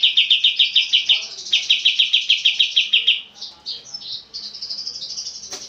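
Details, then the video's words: Oriental white-eye song for training cage birds: two fast bursts of bright, high repeated notes, then softer, thinner twittering and high buzzy phrases with a click near the end. "MASTERAN kapas tembak gacor panjang dan suara jernih"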